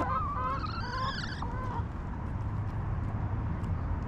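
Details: Backyard chickens in their coop give a few harsh, wavering, nasal calls during the first two seconds, rising and falling in pitch. Low ambient rumble follows.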